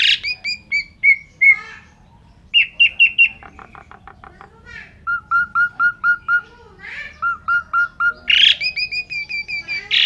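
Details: Lively Asian pied starling song from Indonesia, full isian style meant to stir and train kept songbirds: mixed squeaks and clear whistles, soft rapid ticks, then two runs of evenly repeated piping notes and loud harsh bursts.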